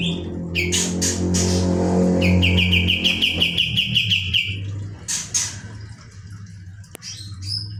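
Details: Kapas tembak bird in rolling song over a steady low hum: scattered high chips, then a rapid trill of repeated notes, more sharp calls, and a click near the end.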